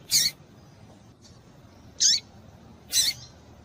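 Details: Harsh, high chirps from a female double-collared seedeater, played by breeders to stimulate a male before tui-tui song tournaments; three calls about one second apart.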